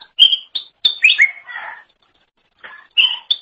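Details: Greater green leafbird singing vigorously, a training recording for songbirds: a few loud, clear whistled notes and a buzzy descending phrase, a gap, then more crisp whistles.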